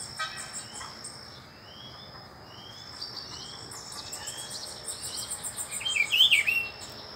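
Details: Rufous-browed peppershrike, part of a visiting pair in Brazil, delivers one loud, twisting whistled phrase near the end, after a run of faint rising notes repeated about every second, with a steady high insect hum behind.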